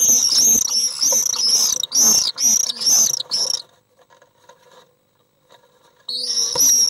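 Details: Common swifts in an occupied nest box, fighting an intruder that entered after one of the resident pair: a rapid series of shrill, piercing screams in pulsed bursts, a pause with faint scuffling, then the screaming resumes.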